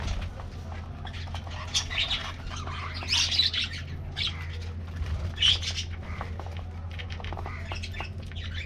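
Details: Colorful budgies in an aviary colony getting their morning diet treat, giving scattered chirps and short warbled bursts, louder near three and five and a half seconds, over a steady low electrical hum.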